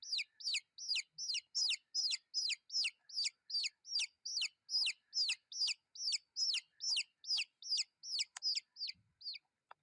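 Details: Chicks peeping in a steady, rapid series of high, downward-slurred cheeps, roughly two or three per second, a long unbroken run that trails off near the end.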